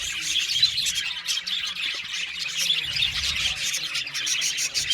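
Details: Colony of budgerigar parakeets in an aviary, overlapping chirps and chattering warbles from many birds, constant and busy with occasional louder squawks.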